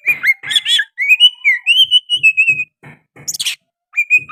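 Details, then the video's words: Oriental magpie-robin in lively song with sooty-headed bulbul phrases: chirpy notes lead into a long, wavering, drawn-out whistle, followed by a scratchy burst and a rising whistle, with low thumping in the background. "KICAUAN KACER GACOR MBESET ISIAN KUTILANG"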